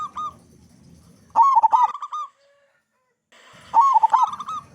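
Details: Local zebra dove with a loud voice, singing freely, played as a lure so other doves start singing. Two loud bursts of rapid, quavering coos, separated by a short silent pause.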